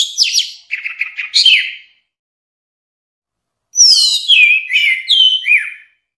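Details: Orange-headed thrush delivering two loud phrases of high, sweeping whistles and downslurs, separated by nearly two seconds of silence.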